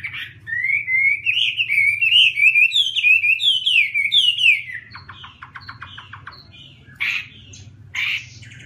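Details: Melodious song of a Chinese hwamei: a continuous chain of looping, up-and-down whistled notes, then a burst of rapid staccato clicks and two short harsh flourishes.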